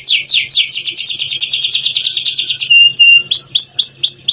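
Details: Canary singing, played to encourage other canaries to sing: a fast rolling trill of repeated sweeping notes, then a pure held whistle and a series of rising-falling arched phrases, over a faint steady low hum.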